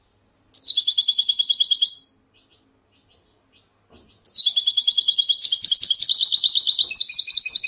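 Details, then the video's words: Singing European goldfinch, two bursts of fast tinkling, buzzy twitter separated by a short pause, the second phrase longer and richer with varied metallic trills; quiet background. "تغريد الحسون"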